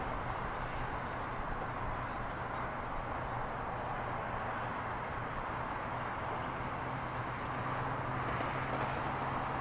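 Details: A steady roar of background noise carries a low droning hum underneath, constant for the whole stretch with no animal calls.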